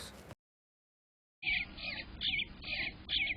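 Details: Eastern Bluebird nestlings inside a nestbox on a July morning, heard from inside the box as a sibling fledges, give a busy chorus of high, scratchy chattering calls in rapid repeated bursts after a brief silence.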